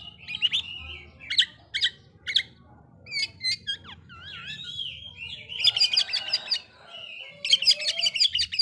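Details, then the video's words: Provoking song of an Oriental magpie-robin aimed at stirring other magpie-robins: spaced sharp notes, then wavy warbled whistles, followed by dense chattering bursts and a final rapid scratchy run. "Suara burung kacer bikin emosi kacer lain"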